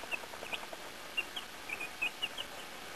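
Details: Baby chicks outside for the first time, given earthworms: faint, brief high peeps, single and in short pairs, scattered irregularly over a steady soft background hiss.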